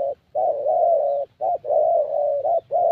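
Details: Young 'thổ' Spotted Dove with a fairly good voice, recorded during a decoy session in Gia Lai, Vietnam: long, mellow, steady coos broken by brief gaps, one note running over a second.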